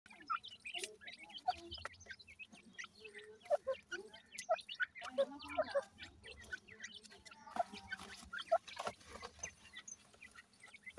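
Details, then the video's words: Grey francolin chicks feeding: scattered thin chirps and short soft clucks at irregular intervals, mixed with frequent clicks, tapping and rustling. "irani teetar chicks feeding, bhura teetar k bachay"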